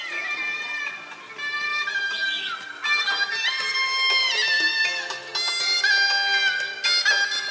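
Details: Instrumental music with sustained, sliding melodic tones plays throughout, and no animal sound is heard.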